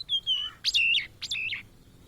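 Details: Blue-and-white flycatcher, a migrant often met in Indonesia, sings clear whistled phrases: a long, level high whistle, then two rising-and-falling phrases that end in buzzy notes, each about half a second long.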